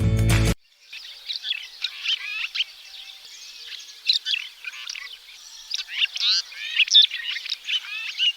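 Red-rumped Swallow giving a steady stream of thin, high twittering chirps and short buzzy notes, several birds overlapping, after a brief loud burst at the start.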